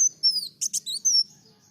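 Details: Energetic olive-backed sunbird song with piercing high, downslurred whistles around two quick buzzy chips, ending on a longer thin whistle that fades out over a faint low hum.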